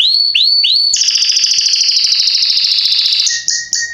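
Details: Strong song of a Belgian Salsa canary used as a tutor for young birds: three rising whistled upslurs, then a rapid rattling trill held for over two seconds, ending with a few short separate chirps.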